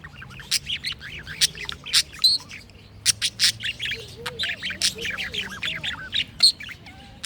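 Budgerigars chatter with rapid, scratchy warbles and sharp squawks mixed with brief clear whistled notes.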